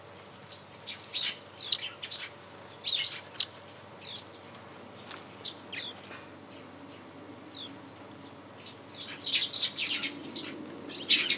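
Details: Japanese white-eye recorded at home in January, giving thin, high chirps and short twittering notes in loose bursts, busier toward the end, over a steady low background hum.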